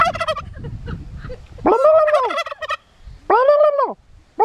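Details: Suffolk turkey calling: a brief rapid pulsed rattle, then two loud arched tonal calls, each under a second long and rising then falling, separated by a quiet gap of about a second.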